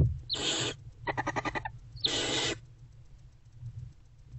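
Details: Barn owl adult and owlet together in a nest box in the early morning of 20 February 2024; a breathy hiss, then a quick run of about eight ticking clicks, then another hiss.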